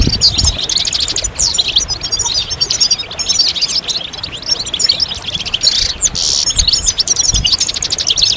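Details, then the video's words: Several European goldfinches chatter together in a mating and readiness chorus used to encourage males to sing; thick, continuous high twittering with buzzy trilled stretches, a brief louder rasp near the middle. "بتبتة الحسون أفضل البتبتات الجماعية stimulation de chant chardonneret"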